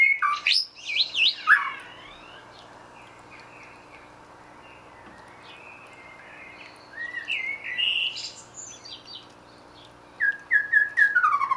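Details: White-rumped shama kept in a Dutch aviary, singing while foraging: bursts of varied, rich whistles and quick slurred phrases, separated by a long quiet pause, then a rapid descending series of notes.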